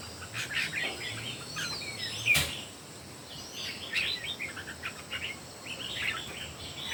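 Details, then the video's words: Competitive song from three red-whiskered bulbuls: scattered short warbled and whistled phrases at moderate volume, one sharp click-like knock partway through, over steady background hiss. "3 CHÚ CHIM CHÀO MÀO CỦA A TỦA HÓT ĐẤU QUÁ ĐẲNG CẤP."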